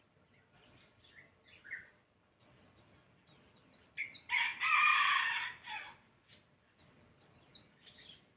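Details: Masteran bird song meant to trigger answering calls: groups of high falling whistles and lower chirps, broken by a loud, harsh, crowing-like burst in the middle, then more whistled notes.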